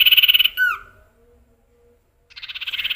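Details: Caged male common iora with a mimicry-laden song: a dense, buzzy trill, then a clear downslurred whistle, a quiet pause, and a renewed pulsing trill that grows louder.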